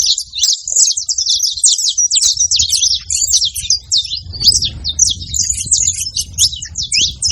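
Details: A lively flurry of high, twittering chirps from free saffron finches, steady and overlapping throughout, while a low rumble swells in the background toward the end.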